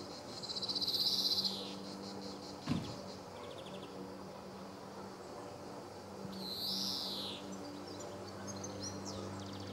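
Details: Recorded 26 July 2014 at Sabunike in Croatia, a male greenfinch utters two separate buzzy, drawn-out wheezes about five seconds apart. A dull thump falls between them, and insects hum continuously behind.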